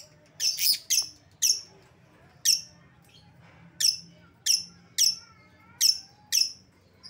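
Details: Lovebird calls meant to lure back an escaped bird: a steady series of sharp, shrill, high chirps, about one every half second to second, with a faint hum underneath.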